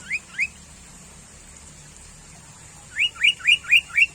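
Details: Sooty-headed bulbul, a common bird near homes, giving short, bright rising whistled notes: a pair, a pause, then a quick run of five, about four per second, over a steady high hiss; used to prompt other birds to sing.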